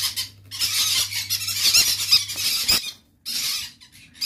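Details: Hyper red factor pineapple green-cheeked conures, sold as semi-adult and breeding pairs, give harsh, raspy squawks in rapid bursts with a few thin high squeaks, pausing briefly near the end, over a faint low electrical hum.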